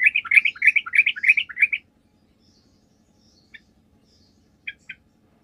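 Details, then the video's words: Sooty-headed bulbul lure song for drawing answers from other bulbuls: a lively burst of rapid, bubbly chattering notes lasting under two seconds, followed by near silence broken by a few isolated short chirps. "PANCINGAN TRUCUK GACOR, TRUCUK MANAPUN DIJAMIN LANGSUNG NYAUT"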